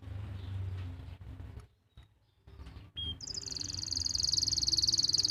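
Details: Canary from Pati, Central Java, singing as a master for stalled or young canaries; after a stretch of low noise and a short gap, a single chirp opens into a fast, sustained high trill that grows louder to the end.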